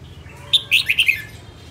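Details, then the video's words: A northern female red-whiskered bulbul sings a short sharp note followed by a quick run of four cheerful whistled notes stepping downward. "Chào mào hót | luyen giọng chao mào | Chào mào mái"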